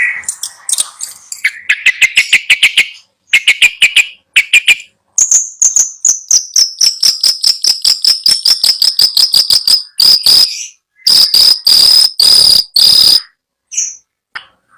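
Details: Captive Long-tailed shrike at a bird seller's gives a loud, varied song: rapid ticking runs, a long high whistle sliding slightly down, and harsh buzzy bursts, with brief pauses between phrases.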